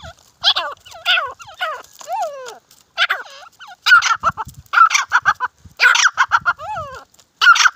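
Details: Grey francolin fight with clipped, harsh call phrases. Each burst is a cluster of quick raspy notes separated by short silences, with some wavering whistled tones between the bursts.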